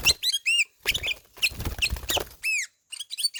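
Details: Ruby-throated bulbul (kutilang emas) giving ngelowo song: arching whistled notes, some clearly downslurred, mixed with dense chattery bursts and a strong low rumble in the middle.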